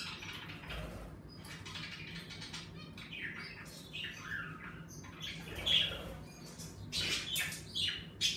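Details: Pet budgerigars kept indoors in a bird room, lively in warmer weather, keep up soft warbling chatter that builds into louder sharp chirps and squawks toward the end.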